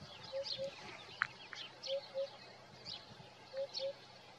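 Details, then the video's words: Eurasian hoopoe giving soft, low, hollow paired hoots repeated about every one and a half seconds, with thin high chirps of other birds behind. "Le Coucou matinal de la huppe fasciée"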